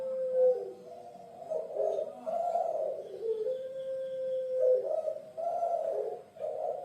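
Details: Javan puter pelung dove, a kings' pet bird of Indonesia, gives warbling coo phrases, each stretched into a long steady tone before the next throbbing burst.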